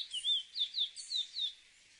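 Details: Singing chestnut-bellied seed finch: short series of six liquid whistled notes, each swooping downward with a slight upturn, evenly spaced, ending after about one and a half seconds.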